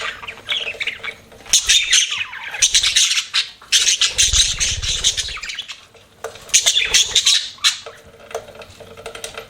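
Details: Pet budgies chirping in bursts of buzzy, high chatter and squawks, several outbursts over steady low background hum.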